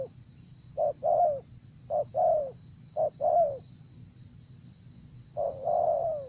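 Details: Spotted dove in a decoy-calling session: short coo notes, each followed by a longer falling coo, given in pairs about once a second. A pause comes before a drawn-out descending coo. A steady high insect-like hiss and low rumble run underneath.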